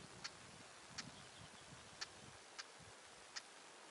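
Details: Male Siberian stonechat flying close to the recordist, a female nearby: dry sharp tacking clicks repeated roughly every 0.7 seconds over low rumbling background noise.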